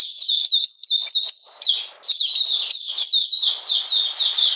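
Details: Caged Oriental magpie-robin singing in cold rainy weather on 13 June 2020: a fast, unbroken stream of high sliding whistled notes, each dipping then rising, with a short pause near the middle.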